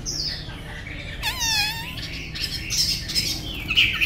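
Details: Tame Chinese hwamei with a fine voice, giving high whistles, then a harsh sweeping note with ringing overtones, followed by broken bright notes against steady low background noise.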